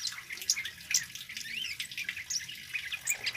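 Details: Male Scarlet-headed Flowerpecker singing briskly, a recording meant for luring and bird training: quick high chips and tiny slurred whistles, roughly two per second, densely layered with a faint hissing background.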